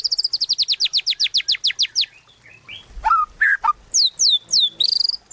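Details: White-rumped shama singing in full, energetic 'gacor' form: a fast run of about twenty high, descending chip notes, then varied lower rich phrases and loud sweeping downslurred whistles, with no other clear sounds.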